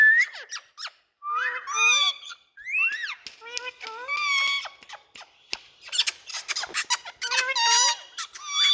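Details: Loud noisy chatter of Indian talking rose-ringed parakeets: rapid sequences of squeaky, harmonically rich notes and sharp clicks, with short pauses between bursts, busy and continuous.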